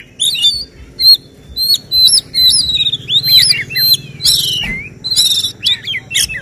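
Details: Kacer, or Oriental magpie-robin, delivering 'tembakan' shooting song at a bird singing competition: crisp upslurred whistles repeated in quick runs, broken by harsh buzzy bursts near the end.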